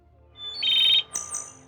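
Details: A Wood Thrush in the East Tennessee foothills of the Smoky Mountains, where it stays from mid-April to late August, gives a brief song phrase: a clear, flute-like note, then a high, thin, buzzy trill.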